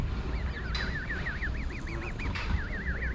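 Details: A baby goose in York Castle car park utters a rhythmic string of shrill, wavering peeps, about four per second, against a low rumbling background.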